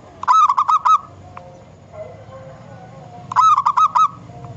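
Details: A wild local zebra dove, used as a lure call, gives a soft, rapid phrase of about five staccato cooing notes, then repeats it about three seconds later over a faint low hum.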